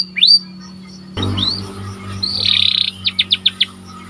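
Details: Panda canary giving a short burst of song: a rising whistle, a brief buzzy roll, then four or five clipped high notes, fairly quiet over a faint steady hum.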